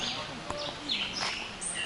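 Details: Birdsong along a forest excursion trail in Cuba: quick high chirps and short whistled slurs in brief bursts over steady background noise, with a voice faintly audible.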